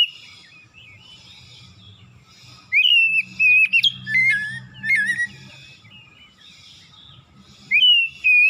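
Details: Morning song of an oriental magpie-robin used as a lure for quiet birds: bright whistled slurs and quick twisting notes in two loud bursts, with soft warbling and a steady low rumble in the pauses.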